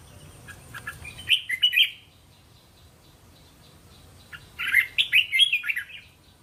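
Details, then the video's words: Red-whiskered bulbul provoking song for teaching young bulbuls to answer: a clear three-note warbled phrase, a quiet pause of about two seconds, then a longer run of fast, bright, bouncing notes. "เสียงนกกรงหัวจุก เสียงยั่วๆๆสายต่อ"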